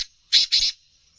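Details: Black francolin, a rare captive bird offered for sale, giving two harsh, grating, rasping notes in quick succession with a short gap between them. The notes are followed by quiet.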